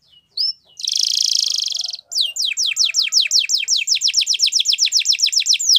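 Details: Song of a Gloster canary: a brief note, a sustained buzzy trill, then a long steady series of sharp sweeping whistled notes repeated several times per second.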